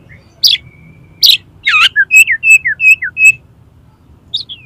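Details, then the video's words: Oriental magpie-robin (kacer) song for tutoring and prompting contest kacer; a few harsh bursts and a thin sustained tone give way to a quick string of clear, slurred whistles, then a short high twitter. "SUARA KACER INI COCOK UNTUK MASTERAN DAN PANCINGAN KACER LOMBA AGAR MAU BUKA PARUH"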